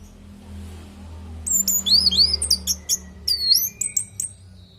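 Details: Orange-headed thrush singing, meant as a training lure for caged birds: a quick series of high, thin, sweeping whistles and sharp chips over a low background hum.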